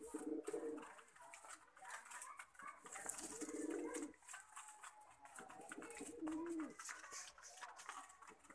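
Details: Repeated low, rolling coos of a Lakha pigeon come in several swelling bursts, mixed with wing rustles, clicks and other indoor noise.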